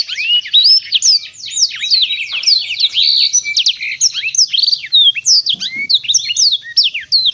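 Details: Black-throated canary pouring out a fast, continuous song of high chirps and slurred whistles, densely packed and loud throughout.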